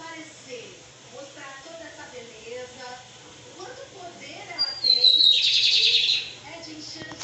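A lined seedeater gives a short burst of high, buzzy, rapid twittering song near the end, after several seconds of a person talking.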